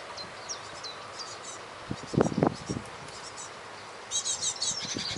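Great tit giving thin, high chirps early on, then a burst of buzzy, scratchy notes near the end, with a dull low knock in between.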